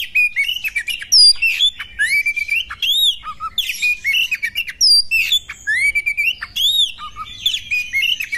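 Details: Oriental magpie-robin female whose voice is meant to trigger males into display and combat; loud, varied phrases of swooping whistles, arched notes and rapid twitters, repeated in bursts about every few seconds.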